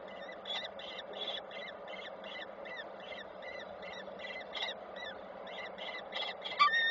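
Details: Nest of falcons in Koszalin, 7 June 2023, during a handover of small prey brought by the male; rapid chattering notes repeat evenly throughout, ending in a louder sharp cry against a humming background.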